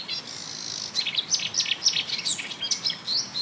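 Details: Marsh warbler singing at a railway embankment near Bernau-Friedenstal, May 2013, copying other birds such as tit, blackbird, lark, goldfinch and starling: a fast, jumbled, high twittering medley over background hiss.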